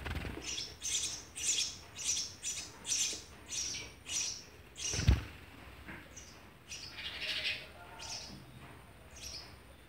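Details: Sparrow family with adults feeding young, 19 June 2020. A series of sharp, high chirps repeats about every half second for five seconds, then fainter scattered chirps follow. A thud sounds in the middle.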